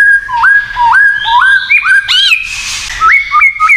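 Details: White-rumped shama giving its 'kretekan' song, said to provoke other shamas into agitation: loud, clear whistled notes that sweep sharply upward, repeated in pairs and stepped phrases, broken by a brief harsh rasping burst midway.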